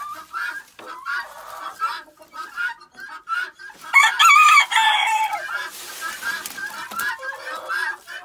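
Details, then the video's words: Penned backyard chickens chatter noisily while being fed and while their pen is cleaned. Overlapping clucks and short squawks fill the clip, with a louder burst of harsh squawking midway. "Come listen to Chicken chat"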